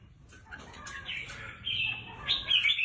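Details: Red-whiskered bulbul kept as a contest bird gives a few short bright whistled notes after a quiet start, ending in quick sharp chirps, with low background hum.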